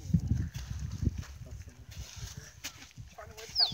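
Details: Male musk duck displaying to females at Lysterfield Park, Victoria, Australia: deep splashing plonks and low thuds, then a brief high whistle sliding downward near the end.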